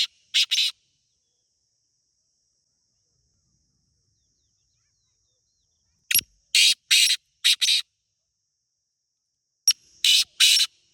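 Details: Wild black francolin (teetar) in Pakistan giving three grating, rasping call phrases, each a quick run of harsh buzzy notes, separated by long silent pauses.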